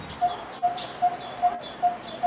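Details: Coppersmith barbet in Queen Sirikit Park, central Bangkok, giving its loud goldsmith-like 'tong tong' call: a steady run of hollow, metallic 'tuk' notes, six in just over two seconds, with faint higher chirps in the background.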